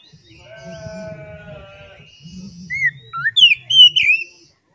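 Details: Oriental magpie-robin song used as a lure to stimulate other magpie-robins to sing: a quick burst of loud, sweet, slurred whistles, rising and falling, after a low, droning, voice-like hum in the background.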